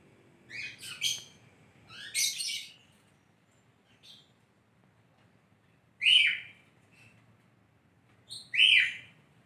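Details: Lovebird chirping energetically and melodiously: short shrill, harsh bursts of high chirps in two clusters early on, then two louder sharp squeaky notes about two and a half seconds apart, with quiet pauses between.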